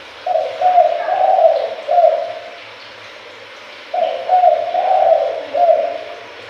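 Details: Spotted dove lure call for attracting birds: two phrases of soft low coos, several linked notes each, with a two-second gap between phrases and a quiet background.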